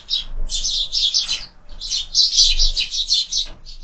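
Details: Sparrows at a feeder fixed to a window as supper starts; long near-continuous chatter of fast, harsh chirps from several birds, a brief gap midway, with faint thumps below.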